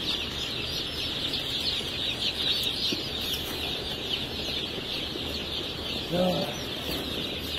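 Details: Blue laced red and splash laced red Wyandotte chicks, a busy flock peeping constantly in a high, shrill wash of sound, with a brief low murmur near the end.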